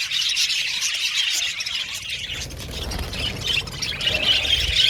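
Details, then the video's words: Aviary colony of male violet budgies chirping and squawking in high, scratchy chatter, with a low rumbling background noise joining in the second half. "Beautiful budgies chirping sound"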